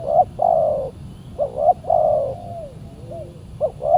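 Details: Spotted dove at a Saturday decoy-trapping session, a very fierce wild bird replying. A long mellow coo, then a double note and another drawn-out coo trailing into a faint falling note, before a final paired coo.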